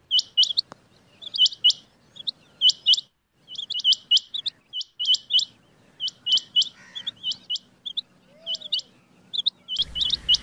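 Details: Rain quail call used to lure birds for hunting: sharp, high metallic notes in quick pairs and triplets, bursts repeated roughly every half second to second, with a brief burst of hiss at the very end.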